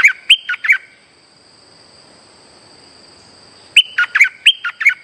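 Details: Chirpy, bouncing streak-eared bulbul phrases used as a trapping lure: four bright notes, a quiet pause of nearly three seconds, then a longer run of six or seven lively notes; a faint steady high tone continues.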